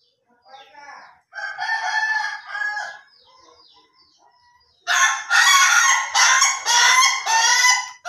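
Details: Ayam Ketawa rooster crowing, a halting opening followed by a long run of loud, broken, laughing-like syllables repeated in quick pulses, heard clearly with a quiet background.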